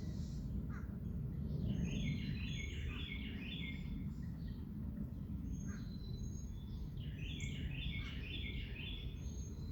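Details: Outdoor bird song: two bursts of rapid, repeated downslurred chirps making a bouncing trill, separated by scattered thin high notes, all set against constant low-pitched environmental noise.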